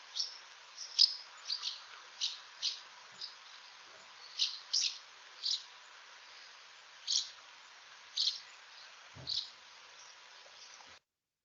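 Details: Common house martin (Delichon urbicum), call.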